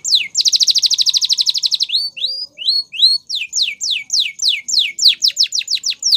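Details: ['Canary song used for training, opening with a rapid, even rolling trill, then slower upslurred whistles and quickening downward-sweeping notes, all high and clear over a quiet background.']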